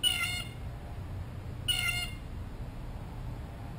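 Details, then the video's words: Blue jay up close, looking for a peanut, gives two harsh, rasping jeers with stacked buzzy harmonics, about 1.7 seconds apart, then quiet background hiss. "Amazing Blue Jay Calls - Up Close and Loud"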